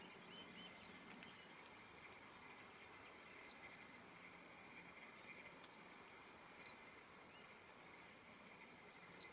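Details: Western yellow wagtail calling in the morning, recorded 21 June 2026: thin, high, sharply arched single call notes, spaced about three seconds apart, over a steady low background hiss and hum.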